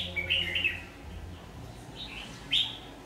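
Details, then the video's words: Red-whiskered bulbul used in trapping with a decoy bird, recorded 22 August 2019 and described as having a very fierce voice: bright warbled notes at the start, a pause, then a sharp rising note, over a low rumble. "Bẫy chào mào Má lỡ giọng cực gắt"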